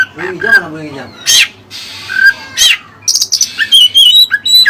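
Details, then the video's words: Oriental magpie-robin (kacer) singing with learned Cililin song material: harsh squawky bursts and short downslurred whistles, then a fast run of high, sharp whistled notes and chips at the end. "Burung Kacer Isian Cililin"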